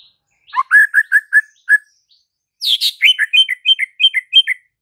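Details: Murai batu, the white-rumped shama, singing a series of clear repeated whistles, then after a short gap a faster, harsher phrase of alternating high and low notes.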